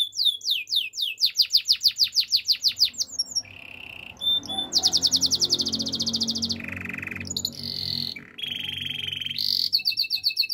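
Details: Domestic canary, labelled Spanish Timbrado, sings a varied song of fast, rolling trills, metallic rattles and high bell-like notes, shifting every second or two with no pauses.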